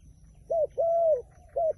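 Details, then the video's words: Brief wild pigeon cooing: a short note, a longer level coo that sags at the end, then another short coo, all low and mellow. "ប៉ះហើយលលកព្រៃបណ្ឌិត ធ្នាក់ធ្វើដាច់ខ្យល់"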